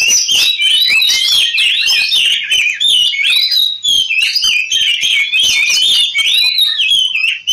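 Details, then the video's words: Oriental magpie-robin in fighting mode, a recording meant to provoke other birds into song: rapid, unbroken run of varied whistles, trills and harsh notes, loud throughout with quick changing phrases. "suara Kacer ngobra tarung, pancingan kacer agar cepat gacor"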